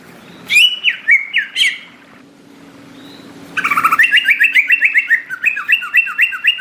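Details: Greater green leafbird, tropical forest setting, singing loud rapid warbling phrases: two short bursts of quick slurred whistles, a pause, then a longer sustained run of fast repeated chattering notes.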